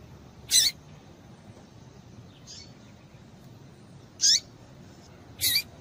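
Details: A female double-collared seedeater calls to excite males. Three sharp, high chip notes are spread irregularly across the stretch, with one faint note between them and quiet hiss behind.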